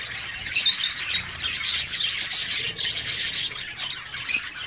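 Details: Zebra finches in an aviary give a busy chorus of short, nasal, high chirps and squeaky notes, several birds calling over one another in quick bursts.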